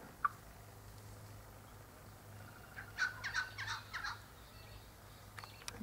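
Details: Red wattlebird drawn to a bottle of sugar syrup hung in a native White Cypress tree gives a short run of harsh, raspy, guttural bursts lasting about a second, over a quiet background with a faint low hum.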